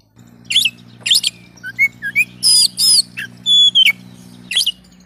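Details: Oriental magpie-robin (kacer) song of loud harsh buzzy bursts alternating with short rising and falling whistles and a drawn-out clear whistle, over a steady low hum.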